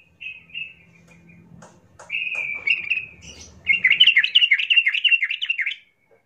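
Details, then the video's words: Yellow-vented bulbul giving bright, bubbly whistled phrases that build into a fast, rollicking burst of chattering notes near the end, played as a lure to make other bulbuls sing; faint low rumble in background. "trucukmu seketika langsung Ngamuk dengan pancingan trucukan gacor"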